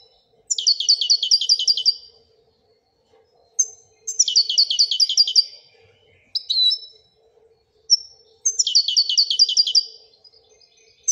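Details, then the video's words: Royal goldfinch repeating rapid tinkling trills three times, roughly every four seconds, with short whistled notes between them and a quiet hum behind. "Le twitter et chardonneret royalتغريد طائر الحسون الملكي"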